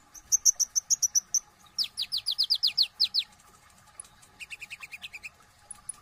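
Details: Konin, the brown-throated sunbird, in energetic song with full isian tembakan. A quick trill of high notes is followed by a run of down-slurred whistled strokes and then softer, lower-pitched twittering chips.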